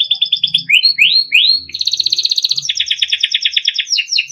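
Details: Timbrado canary song for training: quick repeated chirps, then rising sweeping whistles, a buzzy high trill, and a long rolling rattle of rapid even pulses.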